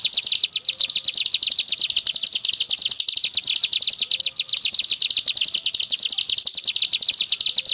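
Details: Brown prinia song in ngebren style, a nonstop high-pitched chattering trill of quick, evenly repeated notes that runs without pause throughout.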